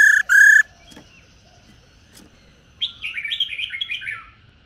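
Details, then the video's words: Calling female laughingthrush, a 'rò' sound for rousing males: a loud harsh nasal double burst, a quiet pause with faint clicks, then a tumbling series of quick chirpy notes stepping downward. "Tiếng chim Khướu Mái"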